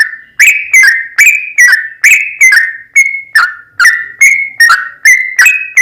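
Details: Excited sooty-headed bulbul song for luring another bird into singing: evenly paced whistles, some paired as a high note dropping to a lower one, roughly two notes per second.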